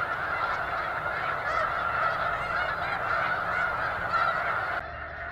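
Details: Many thousands of snow geese gathered at McNary National Wildlife Refuge make an unbroken wall of overlapping honking calls. The roar dips slightly near the end.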